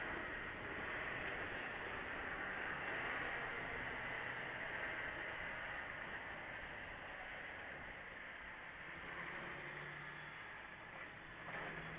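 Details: Steady wind rush and broadband outdoor noise fill the recording, with no clear animal calls standing out.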